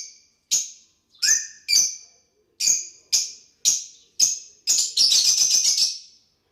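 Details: Lovebirds interacting: sharp, shrill high chirps about every half second, with one lower note among them, ending in a rapid chattering burst of chirps.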